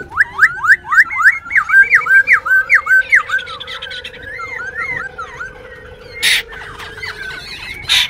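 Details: Caged wild-caught Black-throated Laughingthrush in Tan Tuc, Binh Chanh, Ho Chi Minh City, singing while dancing. It gives a rapid run of loud, looping whistled notes, then warbled, wavering phrases, over a steady low hum with sharp clicks near the end.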